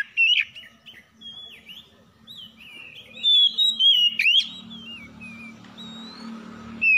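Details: Oriental magpie-robins (kacer) answering each other in the morning, in a rough 'kasar' style. Slurred whistles and wavering warbles build to a loud cluster of notes, over a low steady drone of background noise.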